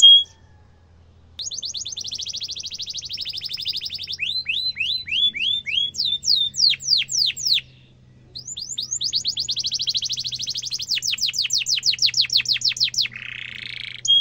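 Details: Canary song, a sharp rolling trill meant for young birds to copy: rapid high trills, a run of downward-sweeping chips, a pause, then more fast trills ending in a short harsh buzz, over a faint low hum.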